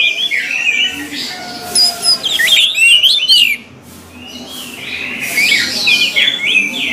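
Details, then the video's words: Varied song of an orange-headed thrush: bursts of warbled, twisting whistles and sharp high notes, with a quieter gap midway before a fresh run of tumbling phrases. "SUARA ANIS MERAH"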